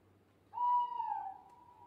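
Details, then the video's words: A single long, steady, mid-pitched owl hoot at night, holding one tone for over a second with a slight dip near the end, then fading into quiet night background. "Different Owl Hooting Sounds"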